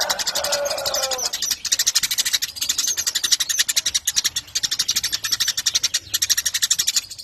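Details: Eurasian tree sparrow chattering at length. Opens with a short lower, warbled phrase, then settles into fast, evenly pulsed, high and scratchy notes that run on with only tiny gaps.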